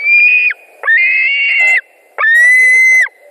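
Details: White-tailed eagles screaming at a Latvian nest in August 2020 during fish delivery and fights between adults: three long, strained, piercing screams, each about a second, separated by short pauses, with sharp upward onsets and falling ends.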